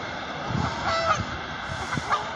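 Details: Canada geese honking: a few short, nasal honks rise briefly mid-clip over steady low background rumble.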